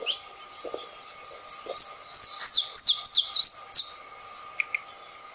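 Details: A saffron finch (canário da terra) sings a lively run of about ten high, descending chirped notes delivered rapidly, preceded by a few soft low notes and followed by two faint trailing chips.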